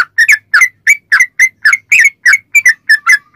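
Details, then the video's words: Lure recording of a yellow-vented bulbul's long 'ropel' song: fast, rolling, chattering whistled notes, several per second, rich and bubbly, almost without pause, in a clean, quiet background. "trucukan gacor ROPEL PANJANG buat pancingan trucukan agar bunyi"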